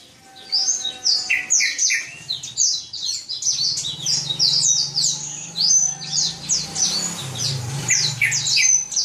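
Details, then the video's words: A black-throated canary (Serinus atrogularis), a kept songbird valued for its clear, loud, varied song, sings a continuous, fast run of high, sweet twittering and trilled notes over a faint low hum. "Burung Blacktroat (Serinus atrogularis)"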